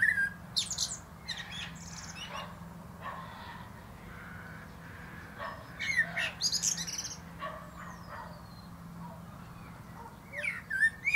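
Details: Male common blackbird atop a plum tree delivering scattered whistled notes and high scratchy twitters with quiet gaps between bursts.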